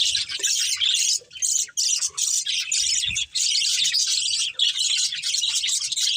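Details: A budgie breeding pair and family, colourful birds, keeping up nearly unbroken high-pitched chirping chatter, grating warbles with only a few brief dips.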